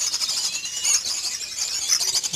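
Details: Crowded shrill chattering from captive lovebirds on a breeding farm, a steady wash of thin, high-pitched squeaks with occasional sharper peaks.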